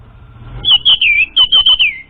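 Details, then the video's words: Orange-headed thrush song used as a lure for an untrained bird: a quick run of about seven clear whistled notes, some level, some slurring downward, delivered in two close bursts over faint low background hum. "SUARA PANCINGAN UNTUK ANIS MERAH BAHAN"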